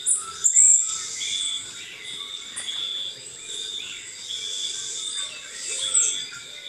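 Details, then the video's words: A Puerto Rican Spindalis, an endemic of the San Juan Bay Estuary in Puerto Rico, gives thin, very high, sibilant call notes, scattered through the clip over a faint steady background hiss. "As you can see, the Puerto Rican spindalis has a very high-pitched call."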